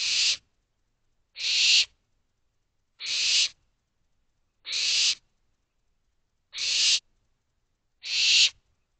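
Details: Barn owl owlets in a nest box just after midnight, 12:40 am on 25 May 2023, calling for more food: six harsh, hissing screeches, each about half a second long, repeated roughly every one and a half seconds, with silence between.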